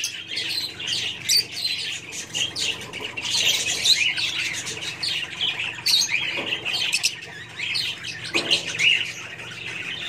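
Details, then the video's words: Kingfisher sounds: strident, rasping high calls repeated irregularly over ten seconds, some bursts louder and denser, with two brief lower thumps near the end. "fisher birds sound"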